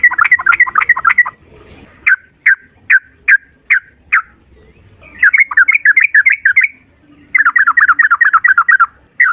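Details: Sooty-headed bulbul, kept bird, in rapid rolling song ('ropel'): fast runs of downslurred whistled notes, interrupted by single spaced chirps, then renewed rapid bursts.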